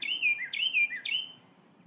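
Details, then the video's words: A Carolina wren sings three loud, rolling phrases in quick succession, each a bright high note slurring downward, about twice a second; nothing else is heard. "Carolina Wren Singing"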